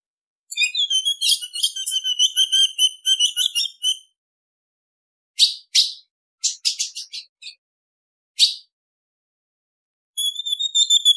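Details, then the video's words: Female ultramarine grosbeak call, used to excite males: a warbling whistled phrase of about three and a half seconds, then scattered short sharp chips, and a second whistled phrase starting at the very end. "Piado de fêmea de Azulão Esquenta qualquer Azulão"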